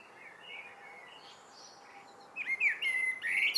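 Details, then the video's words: Evening song of a common blackbird: after soft distant whistles, a louder phrase bursts in with mellow fluted notes and sharp, squeaky high flourishes near the end. "Abendgruß einer Amsel"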